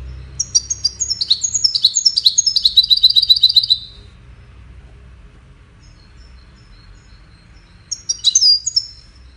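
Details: Goldfinch singing its courtship and communication song: a rapid, high twittering phrase of cascading notes that ends in a run of repeated buzzy notes. After about four seconds of quiet, a short burst of twitter returns.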